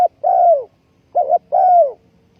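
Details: Spotted dove used as a ground decoy for bird trapping, recorded 20 April 2020; two low cooing phrases, each a short note followed by a longer, slightly falling hollow coo, in near silence.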